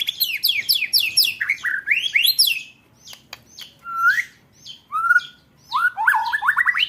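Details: White-rumped shama, contest-bird training material in the roll tembak style: a rapid run of bright falling whistles, then a pause, then separate rising slurs and a quick stuttering trill at the end.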